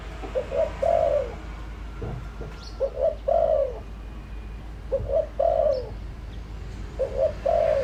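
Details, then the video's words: Spotted dove lure bird cooing in a full routine: repeated phrases of two or three rapid short coos and a drawn-out falling coo, roughly every two seconds, over faint background noise. "tiếng chim cu gáy mồi đủ bài gọi thúc gù giọng hợp Bổi kích bổi nhanh nổi"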